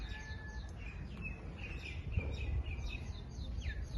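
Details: Parrot giving rapid high falling chirps mixed with short flat whistles and a rising note near the end, set against a constant low-pitched background hum.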